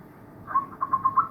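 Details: Zebra doves singing in a chorus of many birds: after a quiet start, a run of quick fluttering mid-pitched coos pulses about every tenth of a second, growing stronger toward the end.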